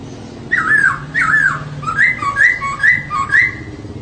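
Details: Female laughingthrush singing to prompt males into song: a run of clear whistled notes, some slurred downward and others rising, repeated about every half second over a low background hum.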